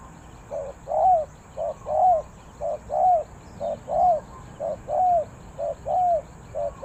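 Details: Spotted dove from Ninh Thuận singing the 3 kuk hoi style, a brief soft coo followed by a drawn-out rounded coo, the pair repeating roughly every second, seven times, faint birds behind.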